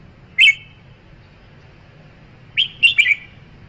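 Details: Red-whiskered bulbul giving a single sharp whistled note, then after a two-second pause a brief run of three bright, slurred phrases; background otherwise quiet with faint low hum.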